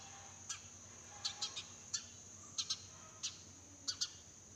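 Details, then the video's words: Sparrows chirping in a garden in the early morning: short, sharp, high chirps in loose, irregular bursts, some doubled, about every half second to second, over a steady high-pitched background whine. "Chirping sounds of sparrow"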